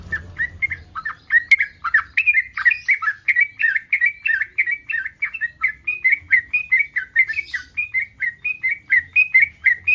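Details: Yellow-vented bulbul in breeding condition giving a mating call meant to draw replies from other bulbuls: ten seconds of loud, rhythmic chattering chirps, around three per second, steady in pitch and tone.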